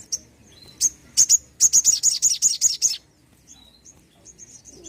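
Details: Vigorous sogon bird song, a lure for reluctant birds: a fast series of about ten loud, very high, sharp notes, followed by faint distant chirps.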